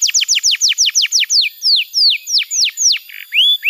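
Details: Short canary phrase used to teach young birds and rouse non-singing ones: a series of sharp descending whistles, about seven per second at first, slowing into longer swoops, a brief buzz and a rising note.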